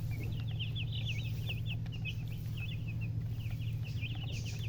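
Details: Chicken chicks chirping: a continuous chatter of many short, high, rapid peeps, some rising and some falling, over a steady low hum.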